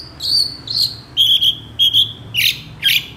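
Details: Fragment of long-tailed shrike song full of imitated notes: thin, clear whistles held briefly and repeated about twice a second, dropping slightly in pitch, ending in two harsher squeaky notes over a faint hiss.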